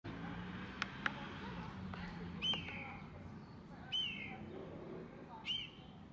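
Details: In April, a blue jay in a park tree gives three clear, slightly downslurred ringing notes, about one and a half seconds apart, over a low background rumble with a couple of sharp clicks.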